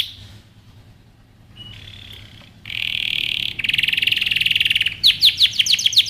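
A canary sings a bright, high song, moving from thin notes into loud sustained trills and then a fast run of sharp, rising chirps.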